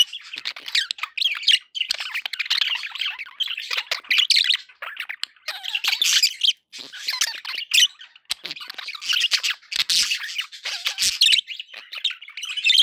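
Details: Pet budgerigars chattering continuously, a dense stream of scratchy squawks, clicks and warbled chirps with brief pauses, kept as company for other pet birds.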